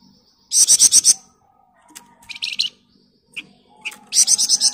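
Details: Flamboyan bird song in close ngebren style for mastering other birds: a fast shrill pulsed trill, scattered lower chips and short notes, then another rapid high trill.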